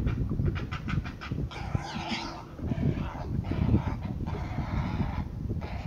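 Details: A young pet bird at the end of a feeding session, wing-flapping and beak-biting as its mother slips away, gives harsh, raspy growls in short, uneven bursts, with low thumping and handling noise.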